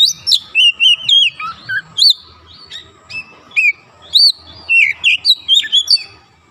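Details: Prompted kacer (Oriental magpie-robin) singing strongly: a steady series of short varied whistled phrases, about two per second, mixing downslurred notes, sharp upward flicks and bright chirps, over a faint low hum.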